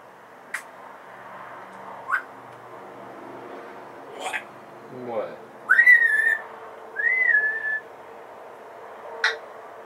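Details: A pet female African grey parrot gives two drawn-out, wavering mid-pitched whistles after scattered clicks, pops and a quick falling sweep, in a quiet room.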